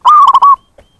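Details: Zebra dove calling as a lure for wild birds: one drawn coo followed by three quick clipped coos and a longer trailing note, then a soft click. The setting is otherwise silent.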